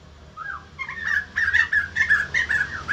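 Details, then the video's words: Caged white-crested laughingthrush building from a single slurred whistle into a rapid, rollicking run of loud, slightly harsh notes, several a second, over low background hum. "BURUNG POKSAY JAMBUL GACOR BIKIN YANG LAIN NGRESPON"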